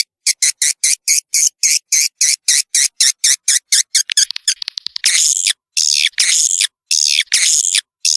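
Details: Swiftlet sound intended to attract young swiftlets into a new building: evenly spaced two-part chirps at about three per second, a burst of fast clicks, then longer harsh screeches.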